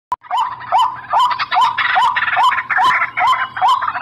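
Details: White-breasted waterhen calls used as a lure: a rapid series of short, hooked notes rising at the end, repeated about twice per second, over dense, scratchy clutter.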